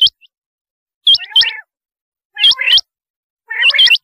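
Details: High, upswept rain quail notes in quick pairs, each followed by a lower, rough trill, repeated in about four bursts.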